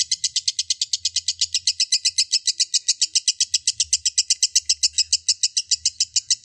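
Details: Extended ngekek trill of a lovebird, meant to provoke other lovebirds to sing. Brisk, shrill pulses repeat nearly four times a second throughout over intermittent faint low humming.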